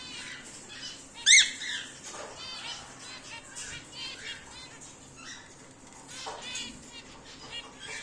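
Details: An exhibition grey male emerald whiteface cockatiel gives one loud, harsh, rising chirp over soft background chatter and rustling.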